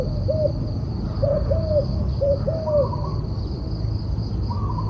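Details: Turtle dove giving soft hollow coos, a run of short low notes with a few slightly higher coos late in the sequence, over a steady low rumble and a faint constant high whine.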